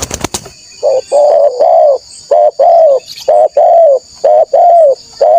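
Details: Spotted dove, a loud, lively bird used to lure wild doves, giving a long series of mellow, low coos in short and drawn-out notes, roughly one per second, over a steady high insect-like hum.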